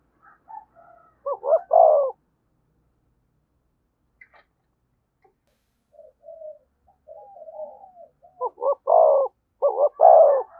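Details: Spotted dove calling in the thúc gù style beside a decoy bird: bursts of stuttering double notes and full coos at start and end, separated by a long quiet stretch with faint soft cooing.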